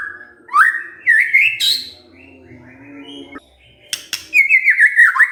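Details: Provoked white-rumped shama singing gacor: rising whistled notes, a harsh burst, a quieter pause with clicks, then a loud high trilled phrase slowly dropping.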